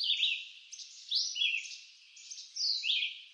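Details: Red-eyed vireo singing in eastern North American woods: short, clear, whistled phrases, each slurred up or down and separated by brief pauses, in a steady question-and-answer pattern. The background is otherwise quiet.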